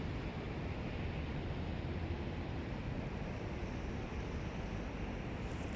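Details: Steady broadband roar like wind or surf fills the recording, with no animal calls heard.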